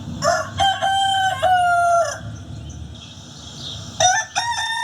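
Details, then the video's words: Rooster crowing: two harmonic cock-a-doodle-doo phrases, the first with long level sustained notes lasting about two seconds, the second shorter and starting near four seconds, over a low background hum. "Animal Sounds of Rooster"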